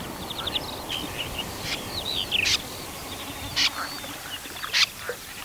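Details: Common snipe recorded in September 2018: three abrupt, scratchy rasping calls roughly a second apart, mixed with high twittering and slurred whistles from other small birds nearby.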